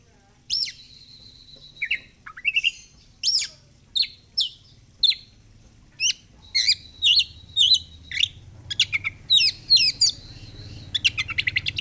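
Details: Caged oriental magpie-robin, a kacer fighter bird, sings a long run of short sharp chirps and whistled phrases in rapid bursts, some notes repeated in quick series, with steady low background rumble building toward the end.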